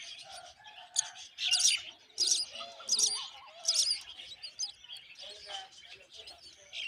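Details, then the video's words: Myna mother feeding termites to her hungry chicks; the young give loud raspy, hissing begging bursts in clusters roughly every second, with a faint lower cooing tone and soft background chatter beneath. "Mom bird Myna is feeding termite to hungry babies"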